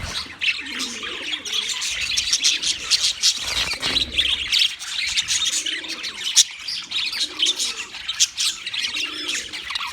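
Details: Wild budgerigars chirping as a flock, an unbroken high twittering chatter, while soft low arched coos repeat roughly every second in the background.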